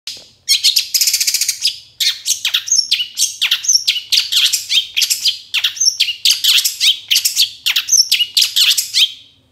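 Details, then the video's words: Long-tailed shrike (cendet) master recording for training cage birds: a fast, continuous jumble of harsh chatters, sharp chips and high whistled phrases, bursts coming several times a second, with no other sounds. "Kicau Masteran Suara Cendet"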